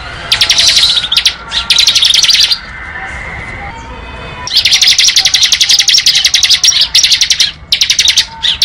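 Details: Ngebren-style song of a bar-winged prinia: several bursts of fast, high, ticking chirps, two short ones first, then a long run after a pause, with faint lower background noise between them.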